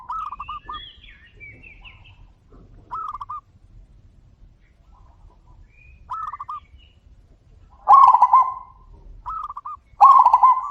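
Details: Zebra doves exchanging calls: short clipped coo phrases repeated every few seconds, then two loud rolling trilled coos near the end; faint high chirping of another bird at the start.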